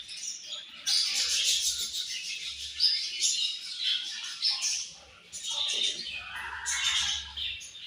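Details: Morning feeding time in a budgie colony: a sustained chorus of high chirping and chatter, briefly dipping near the middle before resuming.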